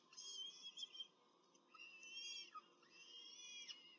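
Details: Peregrine falcons Syriusz and Alrisha at a Rome nest with chicks during a short feeding on 21 April 2024, giving high, thin, wailing calls in drawn-out, slightly downslurred phrases, three main bursts over four seconds.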